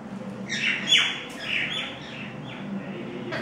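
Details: Common myna (shalik pakhi) feeding young birds outside the nest, giving a short run of harsh, grating squawks with falling notes, followed by softer rasping calls and a quiet background.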